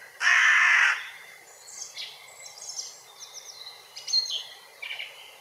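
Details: A hooded crow in Grmoščica Forest, Zagreb, gives one loud, harsh, rasping caw lasting most of a second, followed by faint chirps and twitters of small birds in the background.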